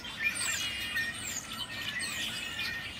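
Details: Many noisy birds chattering at once: sharp squawks and thin sliding whistles layered over a busy high chirping chorus, with a constant low hiss underneath.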